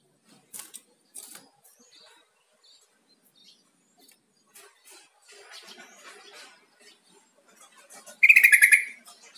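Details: Yellow-vented bulbul giving a calling note to prompt a kept bird to reply; after quiet faint ticks, a single loud rapid chattering burst near the end.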